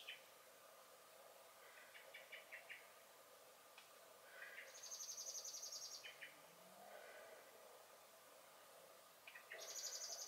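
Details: Common blackbird (Turdus merula) in a garden on 23 May 2021, singing and giving alarm calls: sharp, repeated chinking notes in quick bursts mixed with thin, high squeaky phrases, over a steady background hum.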